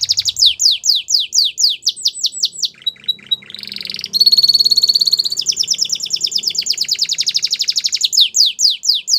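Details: Belgian canary, a white bird, singing: rapid series of descending high whistled notes, a brief buzzy section, then a sustained bright trill followed by fast repeated chirping notes.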